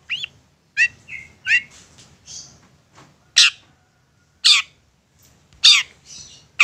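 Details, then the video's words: Long-tailed shrike singing to provoke another shrike into answering: scattered harsh, squeaky high notes and short rising whistles separated by brief pauses, with a faint low hum beneath. "Apapun Cendet nya AKAN LANGSUNG MERESPON dan NYAUT lanjut GACOR dengan pancingan Cendet ngotot ini"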